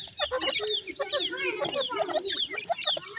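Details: Teetar, or grey francolin, chicks peeping in quick overlapping high slurred notes above soft lower clucking.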